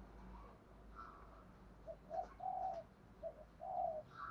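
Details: Spotted dove thúc gù cooing, used daily to train newly caught wild doves to coo: a few low, soft hooting notes, then a longer drawn coo, faint against steady background hiss.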